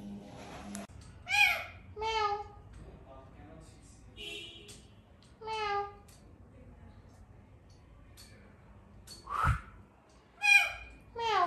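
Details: A talking pet rose-ringed (Indian ringneck) parakeet, playing, gives shrill, nasal word-like bursts like "beep beep" and "me too", about six short phrases at uneven intervals, with a sharp knock partway through in a quiet room.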